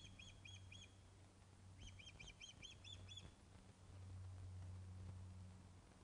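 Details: Ospreys at the Loch of the Lowes nest on 21 August 2012 at 16:35, during a fish delivery, caught by webcam: two quick bursts of high, arched whistled notes, four then seven, over a steady low hum.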